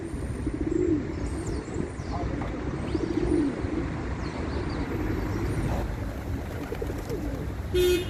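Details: Several pigeons cooing together, soft low rolling coos near the start and middle, set against steady vehicle hum, with thin high bird chirps and a brief clatter near the end.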